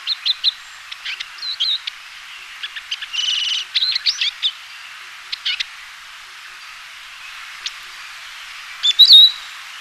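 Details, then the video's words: Eurasian siskin song: a long stream of rapid twitters and chirps with a brief rattling buzz in the middle, then a pause and a final high whistled note. "黃雀/Eurasian Siskin(Spinus spinus) singing"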